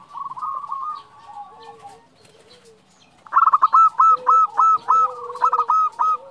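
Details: Female zebra dove calling a male: a soft rippling coo and quiet low notes, then a loud, regular series of hooked staccato notes with a lower drawn tone underneath.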